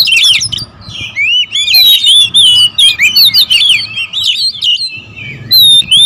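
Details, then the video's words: Several territorial oriental magpie-robins in a noisy, agitated exchange meant to provoke other magpie-robins: dense overlapping whistled phrases, sweeping up and down, bright and varied, in rapid bursts with brief pauses, over a faint steady hum. "KACER RIBUT"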